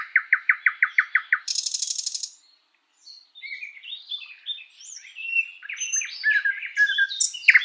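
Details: Thrush nightingale singing in a spring forest, beginning with about eight evenly spaced ringing notes, then a harsh buzzing rattle, a brief silence, and a varied stream of twittering, whistled phrases.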